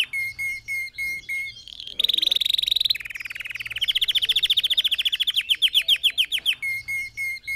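A red factor canary sings a varied song: short repeated whistles, a dense buzzy trill, then a fast rolling series of descending notes.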